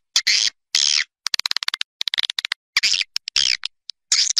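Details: Swiftlets calling outdoors, a Malaysian nesting-attraction sound: long rasping buzzy chirps alternating with clusters of rapid dry clicks, high-pitched and irregular.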